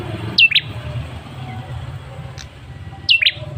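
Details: Male ashy tailorbird lure call: two crisp double-noted chirps, both falling sharply in pitch, separated by a pause of over two seconds, with a low hum underneath.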